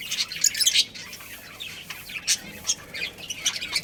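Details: Budgerigar family colony chattering: overlapping high, raspy chirps and quick squeaky notes in uneven bursts, busiest at the opening and again midway.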